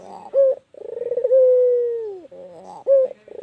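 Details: One white Barbary dove giving its long call: a crisp short note, a fluttering series of rapid pulses, then a sustained coo gently falling away, with the next short note following.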